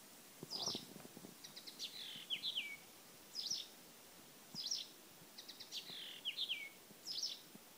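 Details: Blyth's reed warbler song recorded at Lindö udde in 2011: short high scratchy notes alternating with falling whistled slurs, phrases repeated every second or so over quiet background noise.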